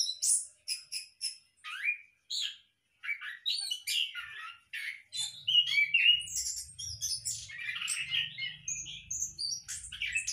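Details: Orange-headed thrush in a hanging cage at a captive breeding setup. Quick high chirps and short whistled notes, some sharply rising, come first in spaced bursts, then a dense run of varied warbled phrases with a faint low hum beneath.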